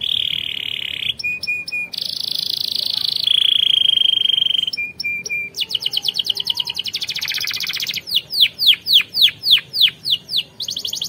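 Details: Canary singing for training other canaries: a steady whistled tone, short clicking bursts, a long buzzy roll, a rapid rattle, then a run of loud descending swoops.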